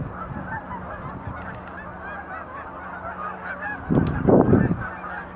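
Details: Sandhill cranes in a dance display at Montezuma National Wildlife Refuge visitor center, November 2020. A steady chorus of rolling calls plays over a low hum, with a loud rumbling burst near the end.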